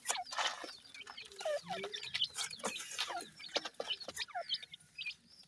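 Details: Teetar francolin chicks at feeding time give high, thin chirps that sweep upward and downward, scattered among short clicking and scratching sounds.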